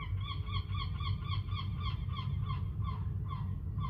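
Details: Gull chicks recently hatched on Whitby rooftops, running around; rapid series of short, clipped calls repeated several times a second throughout, with a constant low background rumble.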